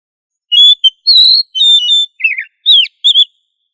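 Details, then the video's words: Loud, clear whistled song of an oriental magpie-robin, meant for training other magpie-robins to sing loudly; a rapid series of about eight sweet notes, some level, one harsher downslurred, with no background noise. "Suara Burung kacer Gacor Ngobra untuk Melatih Kacer agar Plong Keras"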